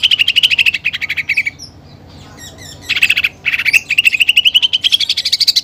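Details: Cucak ijo singing heavily, with 'tembakan' fill of sparrow-fight and pelatuk bawang imitations: a buzzy trill dropping slightly, a pause, a short burst, then a long fast pulsed trill that rises steadily to a higher pitch.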